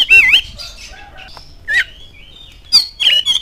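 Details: Oriental magpie-robin lure song for provoking other birds: a loud rich warbled phrase, then a quiet pause, a sharp rising note and two final whistled bursts.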